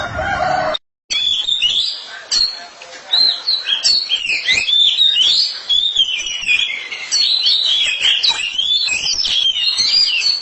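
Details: Oriental magpie-robin pair, a male and female singing against each other, with continuous varied whistled phrases, warbles and trills high in pitch, a brief silent break near the start.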